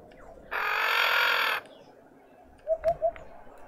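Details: In a South African suburban garden in Pretoria, a female Red-winged starling with a deformed beak gives a single long, scratchy, grating call. Three low coos follow in the background.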